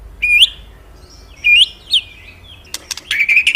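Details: A magpie-robin gives a few bright upslurred whistles separated by pauses, then a burst of scratchy clicking notes and a fast chattering run.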